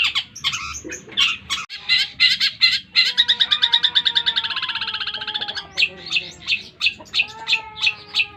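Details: Caged long-tailed shrike, 8 months old, delivers 'tengkek buto' and 'greja yeret' style song: harsh separate chips, then a long steady rattle of rapid identical notes, closing with spaced sharp calls about three per second.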